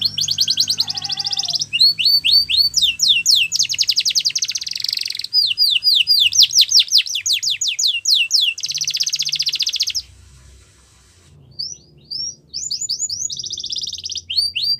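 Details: Yorkshire canary singing, offered as training song for young canaries: rapid series of high swept whistles, dense buzzy rolls and trills, a brief pause near the end, then more rolling phrases.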